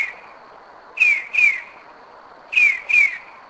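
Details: Northern mockingbird singing at 2am at night in Kennesaw, Georgia, 2011, a bird returning to the same spot for several years; two pairs of clear downslurred whistled notes, each pair separated by a pause of about a second and a half, quiet background.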